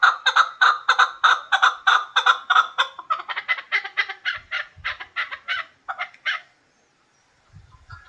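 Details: Hybrid chukar partridge calling with loud, rapid, evenly spaced clucking notes that slowly fade and slow. A short silence follows, then faint low thumps.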